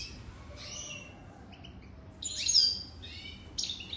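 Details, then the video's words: European goldfinch over three years old utters short high buzzy phrases and sharp twitters in separate bursts, loudest around the middle, over quiet background hiss. "تغريد طائر الحسون"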